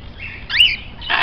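A grey parrot gives a quick clear whistle that swoops up then down, after a fainter high note. A brief harsh, hissy burst follows at the end.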